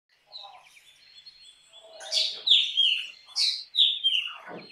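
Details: Black drongo, a small all-black passerine with a forked tail, singing: harsh rasping notes sliding down from high pitch into whistled, slurred phrases, repeated in short bursts, with softer chattering notes between.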